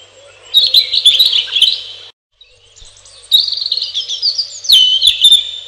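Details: Robin singing three lively phrases of high, rapid, tinkling and warbled notes with sudden pitch leaps, separated by short silences. The last phrase starts with a piercing high whistle.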